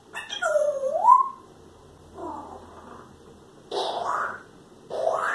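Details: Two pet parrots imitating human coughing and farting noises indoors: a clear whistled note that dips and then rises, followed by three short, harsh, noisy bursts spaced about a second apart.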